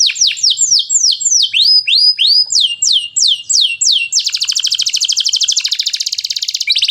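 A canary sings a run of about fifteen high, sharply falling whistled notes, then breaks into a fast, even buzzing trill for the last three seconds.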